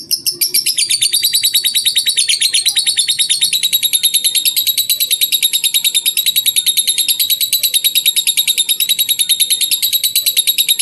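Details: Lovebird singing in the ngetik (typing) style, taken from a two-hour tutor recording. It is one long unbroken run of rapid, sharp, high chattering clicks, dense and steady from start to finish.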